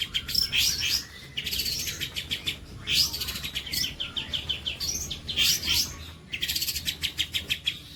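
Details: Long-tailed shrike bolo panjang song, used to tutor other songbirds: repeated bursts about every one to two seconds of scratchy buzzing notes mixed with sharp high whistled slurs, separated by brief quieter gaps.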